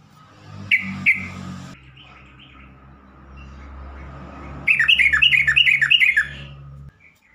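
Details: Yellow-vented bulbul lure call, meant to draw fast responses and set stressed or silent bulbuls singing: two sharp chirps, a quiet gap, then a rapid run of about eight bubbling, dipping notes over a low hum.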